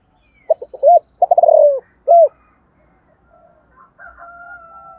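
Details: Spotted dove calling wild doves in the morning, 'giọng thổ cục đình' style. One deep phrase of clipped notes, a buzzing rolled note and a last coo, followed by softer distant bird calls.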